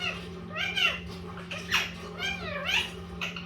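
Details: A very talkative pet Indian ringneck parakeet, green-yellow mutation, speaks in short, bright arching syllables with sweeping pitch, several per second in a quick phrase, accompanied by a steady low hum indoors.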